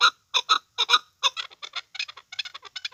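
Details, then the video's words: Chukar partridge call, loud doubled clucks at first, then speeding into a faster rattling run of short chuck notes. "chakor ki awaz best sound partridge صدای کبک ذرک اواز صوت الحجل"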